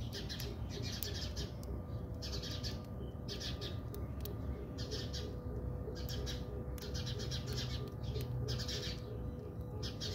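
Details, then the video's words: Several house sparrows squabble in a South African backyard, giving clusters of short, bright chirps in irregular bursts, with pauses between, over steady low-pitched background noise and a faint tone. "Watch Interesting Sparrow fights in my Backyard"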